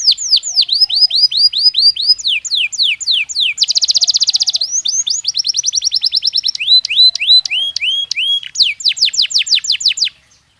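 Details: Belgian canary singing naturally: a varied high song mixing falling whistles, a dense buzzy rattle, fast clipped trills and rolling repeated notes, changing phrase every second or two before fading out at the end.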